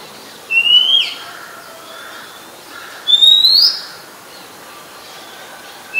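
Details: Oriental magpie-robin song from Ubon Ratchathani, Thailand, 17 July 2021; loud rising whistles about two and a half seconds apart, the first with a downward flick, a third starting at the end.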